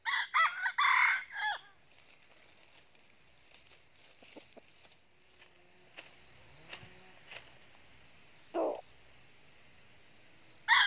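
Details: Red junglefowl crowing while a red-eared decoy is used to trap a wild bird in Vietnam, the crow style named 'cà lắm'. A loud ragged crow opens, faint clicks and rustles follow, then another crow and the start of a third.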